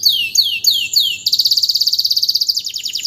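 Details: Domestic canary in full song right after moulting, kept as a vocal tutor: four sharp downsweeping whistles about a third of a second apart, then a fast, even, high trill of rapidly repeated notes that drops into a lower rolling phrase.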